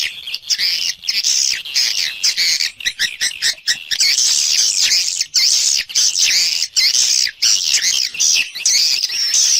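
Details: From a swiftlet external sound recording: a steady, busy stream of high, rasping twitters and chirps, overlapping almost without pause, with only brief gaps throughout.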